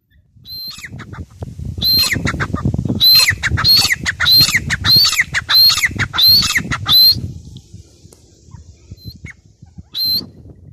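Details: Grey francolin, or teetar, giving a loud harsh repeated call, about eight ringing notes spaced roughly half a second apart, with a low rumbling background and a few scattered notes before and after.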